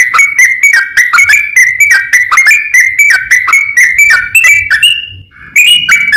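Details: Yellow-vented bulbul song played to coax other bulbuls to respond: steady stream of quick chirping notes and short whistles, a brief drawn-out whistle near the end, then more chatter.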